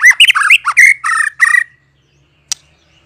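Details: White-rumped shama song used as a lure to make other shamas answer and sing: quick run of rich slurred whistles and harsher chattering notes over about 1.7 seconds, then silence broken by one sharp click.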